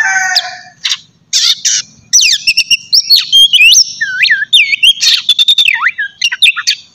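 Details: Oriental magpie-robin singing in the morning, a loud open 'ngeplong' style meant to stir other kept birds into song: rich whistles, slurred upsweeps and downswoops, and rapid chattery notes in quick bursts after an opening trill.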